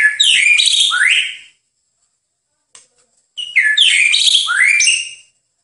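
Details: White-rumped shama song used as a master recording for training songbirds: two rich, loud phrases of rapid whistled sweeps and rising and falling slurred notes, separated by a short silence, with no other sounds heard.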